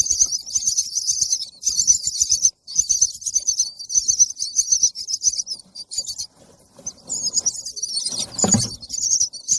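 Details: Baby bird chirping for food: high, hissy chirps in long near-continuous bursts with brief pauses, and a short low thump near the end.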